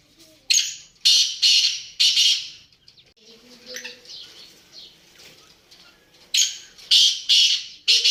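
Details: Black francolin giving two bouts of its call, each a rapid series of about four harsh grating notes, separated by a few seconds of faint low background noise.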